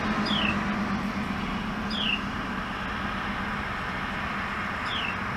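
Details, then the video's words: A noisy mother Carolina wren feeding her young just outside a window gives a high, thin, down-slurred note every two to three seconds over a steady low rumble like distant traffic. "Noisy Mama Carolina Wren Feeding Her Babies"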